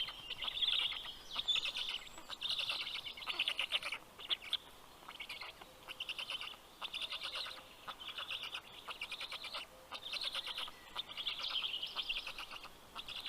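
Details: Black stork young on a nest in southern Estonia's Karula National Park, calling as the male delivers fish around 11 am in June; rasping, pulsed chatters come in irregular bursts about once a second.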